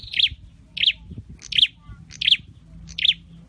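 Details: Caged scarlet-headed flowerpecker, Dicaeum trochileum of Indonesia, in singing training: five bright, high chirps spaced roughly every 0.7 seconds, each a quick sharp note, over a faint low hum.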